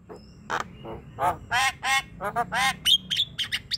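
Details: Javan myna in full song, played to stir a reluctant bird into calling: a run of coarse, nasal squawks followed by short, sharp whistles.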